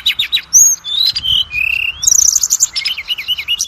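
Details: Oriental magpie-robin song played as a lure to make magpie-robins sing: varied high whistles and drawn-out slurs, a fast rattling trill, then bouncy repeated chirps.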